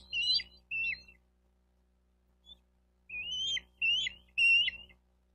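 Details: Bald eagle calling at a Florida nest in Miami-Dade County, 4 June 2023, midday camera audio: two short squeaky notes, a pause of about two seconds, then three more high chirps, over low rumbling background.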